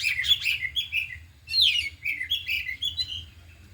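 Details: Afternoon training of four kept oriental magpie-robins, all in song with their isian repertoire. Quick twittering bursts of sweet notes come in two close groups with some buzzy trills. A steady low hum runs beneath.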